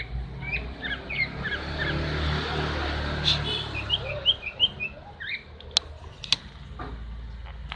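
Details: Greater green leafbird female call meant to prompt a silent male into song: scattered sharp chirps, then a run of quick repeated twittering notes midway, with a steady low rumble of vehicles and a few sharp clicks behind.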